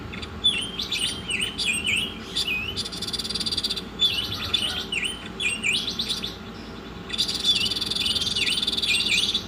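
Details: Repeated swooping whistles and chirps from an Oriental magpie-robin on a masteran recording, broken by three stretches of dense, buzzing rattle.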